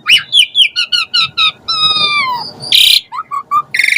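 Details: Gacor Asian pied starling in lure song with varied filler: repeated looping whistles, a long descending whistled glide, a loud harsh burst, then short clear whistled notes and a closing buzzy phrase.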